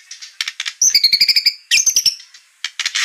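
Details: White-rumped shama song used as a lure to make a bird sing: soft scratchy notes, then two fast trilled runs introduced by high whistled slurs, ending in harsh buzzy notes.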